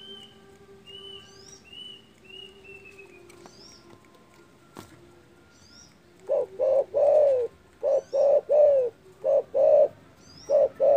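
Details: Spotted dove calling loudly to provoke rivals: after several seconds of quiet with other birds' thin whistles, a run of about ten short, rounded coos in uneven clusters.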